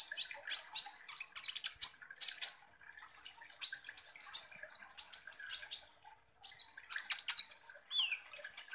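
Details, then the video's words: Sunbird (kolibri ninja) singing loudly as a lure to provoke other birds: shrill chirps mixed with clear slurred whistles that rise and fall, in bursts separated by brief silent gaps. "PANCINGAN kolibri ninja GACOR"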